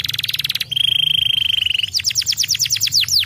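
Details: Singing canary used to encourage lazy canaries to sing: a fast pulsed trill, then a long steady high whistled note held over a second, followed by quick repeated downward-sweeping chirps.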